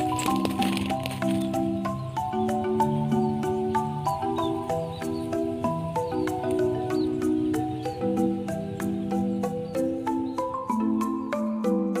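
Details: Melodic mallet-percussion music with steady struck notes plays throughout, with no animal calls heard.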